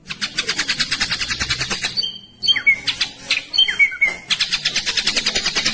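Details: Rapid rattling song of a caged ashy drongo in "speed rapat" style: dense trains of harsh ticks around a pause, then slurred whistled notes and more quick rasping rolls.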